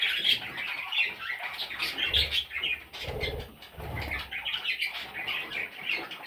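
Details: Little parrot chicks chatter in a busy, scratchy jumble of squawks and chirps, punctuated by soft low thuds and fluttering.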